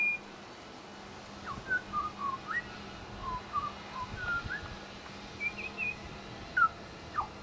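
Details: Pied butcherbird in suburban Brisbane, Australia, mimicking local sounds: clear whistled notes and short slurred phrases around the middle range, rising and falling, spaced through the recording with some higher squeaky notes, over a steady low hum.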